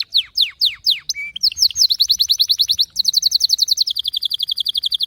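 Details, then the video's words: Loud canary song, Lasskot style, begins with several bold descending sweeps. Varied chirps follow, then long, very fast rolled tours of repeated notes that continue steadily to the end. "غناء كناري لاسكوت ،لن يصمت كناريك عند سماع هذا الوحش Canary Bird singing"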